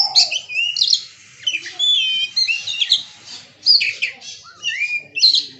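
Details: Kacer (Oriental magpie-robin) singing in the bongkar isian style: varied rapid whistles, sharp upslurs and buzzy chattering phrases in quick bursts separated by brief pauses, with other birds calling in the background.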